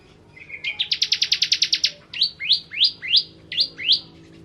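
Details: Ciblek kristal, the bar-winged prinia, opening with a short low trill, then a very fast burst of about twelve high chips, followed by five slower, upward-sweeping notes.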